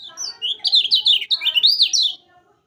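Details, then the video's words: Yellow-vented bulbul song used as training audio for caged birds: a rapid run of bright, warbling notes that rise and fall, sweeping up and down over about two seconds, then silence. "Kecial kuning Masteran Paling Mantap Bagi Yang Penghobi Burung Kecial Kuning"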